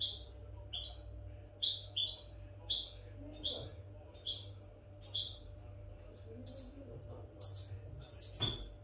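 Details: European goldfinch song meant for tutoring captive goldfinches: high, tinkling two-part notes dropping in pitch, repeated roughly every half second, building to denser twitters at the end, with a steady low hum and faint voices.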